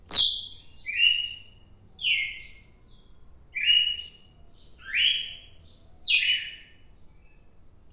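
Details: Song of a red-cowled cardinal recorded 4 December 2023: strong whistled syllables falling sharply in pitch, delivered in a regular series roughly every second, clean background apart from a faint low rumble.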